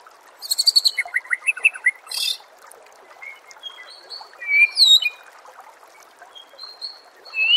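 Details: Masteran song of a white-rumped shama for training contest birds: a busy chattering run of varied notes, a harsh hissy burst, then scattered sweeping whistles and high slurs over a trickling water background.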